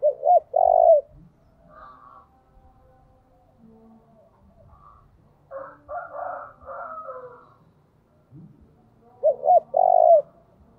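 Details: Spotted dove used as a decoy, cooing in short low phrases at the start and end, with faint rustling and mixed quieter bird-like notes in between.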